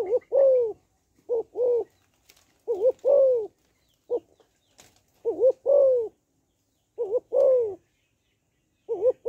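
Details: Female spotted dove stimulating males with a rapid series of coo phrases. Short wavering pairs alternate with longer descending coos, and there are occasional faint ticks between them.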